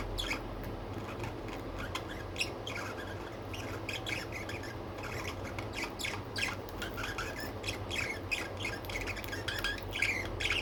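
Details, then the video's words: Pet budgerigars chattering steadily in a continuous stream of quick, scratchy chirps and squawks, with a low hum running underneath throughout. "Budgies || Birds 🐦 || pets|| pet birds video || Birds video for lonely bird"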